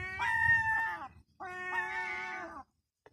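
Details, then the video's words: Young European herring gull, a chick about 2 to 4 months old, begging for food. Two drawn-out, wailing, harmonic calls of roughly a second each, separated by a brief pause, then a faint click. "Herring Gull chick demanding scones"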